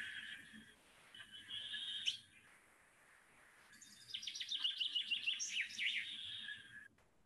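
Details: Strong common chaffinch song that ends in a du-du-du; a brief earlier phrase, a quiet gap, then a loud rapid descending run of notes finishing with a flourish, over low background noise.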